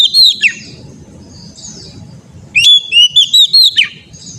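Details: Oriental magpie-robin song used to train untrained birds: a downward slurred whistle, a quiet gap with soft hiss, then a lively phrase of short rising and falling whistled notes.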